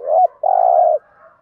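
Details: Lure cooing of a spotted dove, meant to draw in wild doves: a single phrase made of a short dipping note, a brief gap, then one long steady buzzy coo that fades into a soft hum.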